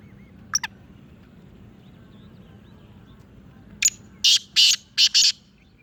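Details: Sindhi Chirnga black francolin from Sindh or Punjab: two faint, quick clicks early on, then after a pause a rasping phrase of five loud, scratchy notes delivered in about a second and a half, with low background noise.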